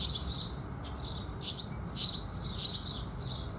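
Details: House sparrows greeting the rising sun with rapid, bright chirps, nearly two per second, each a short, slightly buzzy note, over faint low ambient noise.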